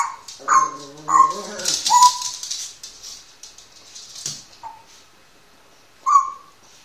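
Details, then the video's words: Lilo, a one-year-old Grey parrot, mimics German speech with several short, voiced, word-like syllables in quick succession, then a sharp click and one more clipped word after a pause. "graupapagei lilo spricht"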